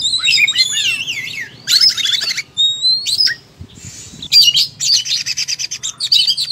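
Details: Kacer (oriental magpie-robin) singing aggressively in full fighting mode, spewing its repertoire: twisting whistles, buzzy rattles and a long pure whistle, a brief low pause mid-way, then dense rattling phrases.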